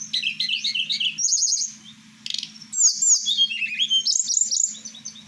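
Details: Blue flycatcher, tledekan Merapi, a kept bird heard at night, gives fast chattering phrases, a brief pause, then sweeping high whistles and trilled notes over a constant low hum.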